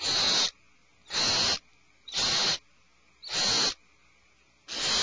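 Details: Five harsh, airy screeches from alarmed owlets sheltering in a nest cavity, each about half a second, separated by roughly one-second pauses.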